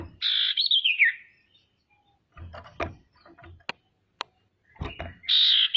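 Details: Calling female common iora, a lure meant to make other ioras sing and grow agitated: one loud buzzy trill wavering downward, then scattered knocks and sharp clicks, and a new high trill starting at the end.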